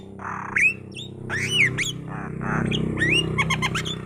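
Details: Myna chattering nonstop, mixing harsh rasping squawks with sharp rising whistles and quick clicking notes, over a steady low hum in the background.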